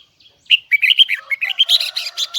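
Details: Red-whiskered bulbul, Huế type, belts out its high double twisting song: a quick tumbling run of clear slurred whistles that climbs into rapid, strongly repeated bright notes.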